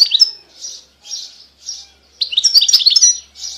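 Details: European goldfinch song recorded in 2020: high, twittering phrases in short bursts separated by brief pauses, then a denser run of tinkling, slurred notes mixed with buzzy trills.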